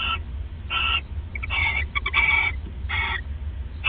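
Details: Nesting owls bonding and regifting at night on December 29, 2014, 1:26 AM; rough raspy screeches run closely together, mixed with short clicky sputters in the middle, over a low electrical hum.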